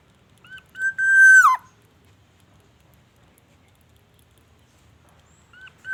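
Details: Black-naped oriole, an energetic singer that imitates the white-rumped shama: one loud, overtone-rich whistle held level and then falling abruptly, followed by silence and the start of another note.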